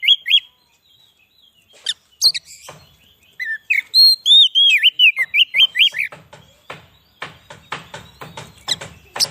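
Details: White-rumped shama song used as a lure for wild birds: scattered chirps building into a rapid run of looping whistled notes, then dry clicking and ticking sounds repeated toward the end.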